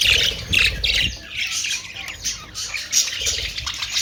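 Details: Australian parrot, meaning budgerigar, producing harsh squawks and twittering. There is a low thudding noise in the first second, then steady overlapping chatter.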